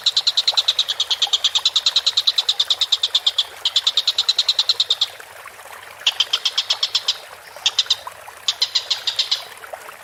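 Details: Collared kingfisher, calling vigorously, gives several bouts of rapid, harsh, evenly pitched notes: a long run, a shorter one, then brief bursts separated by gaps.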